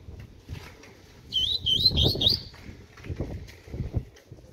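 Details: Six-month-old double-collared seedeater just starting to sing: one short, high, rapid twittering phrase of about a second, followed by low thumping background noise.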